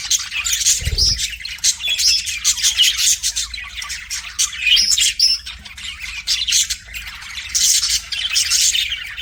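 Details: Pet budgie warbling at a mirror, steady scratchy chatter and chirps with occasional squawky notes, and a low knock near the start.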